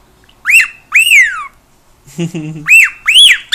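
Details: Pet cockatiel making noise indoors: loud arched whistles that rise and fall, some drawn-out and sliding downward. A brief, low, rough sound sits between them, followed by laughter.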